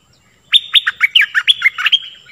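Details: Stripe-throated bulbul song played to teach young birds and lure wild ones: a loud, lively run of bright chirpy notes, each sharply rising then dipping, about ten in quick succession, with a quiet background.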